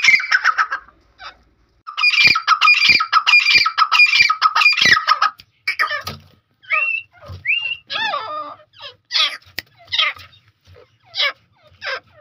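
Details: Wild grey francolin giving loud, harsh, ringing phrases in a rapid rhythmic burst, then shorter squawks and clipped upslurred notes.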